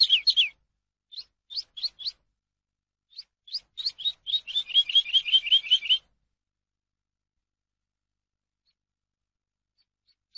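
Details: Eurasian skylark singing, a recording meant to teach captive birds: spaced high chirps that quicken into a dense, rapid run of warbled notes, ending abruptly and followed by four seconds of silence.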